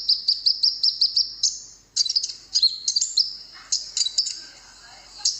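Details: Konin singing, said to make hearing birds respond right away: quick high chips repeated about twice a second, then slurred whistled phrases and scattered softer chirps.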